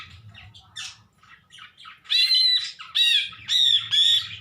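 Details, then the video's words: Unusual calls of a greater green leafbird: soft scratchy chatter building into a series of loud, even, harmonic squawks repeated about every half second, over a faint low hum. "cucak ijo bersuara aneh"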